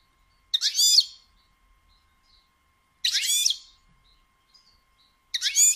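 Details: Batbata of a female European goldfinch, meant to prompt males to sing and mate. Three coarse, nasal, buzzy bursts, each about half a second long, come roughly every two to three seconds against near silence.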